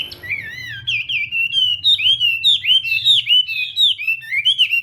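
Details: Chinese hwamei during morning singing practice, a loud, fluid series of looping whistled notes, rising and falling, delivered almost without pause.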